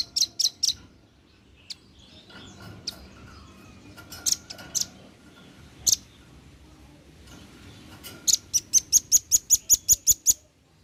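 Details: Calling male red-billed nuthatch summoning companions: a few scattered sharp high notes, then a fast, even series of about a dozen high piping notes at the end, over faint background hum.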